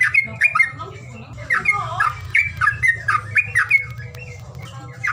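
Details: Squawking bird calls played to prompt reluctant birds into voice: uneven, scratchy chirps with bent notes, busiest in the middle and fading toward the end, over a low background hum.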